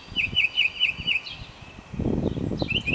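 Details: A mockingbird repeats one crisp chirping note five times in quick succession, pauses, then starts another pair, while low rumbling noise rises in the background.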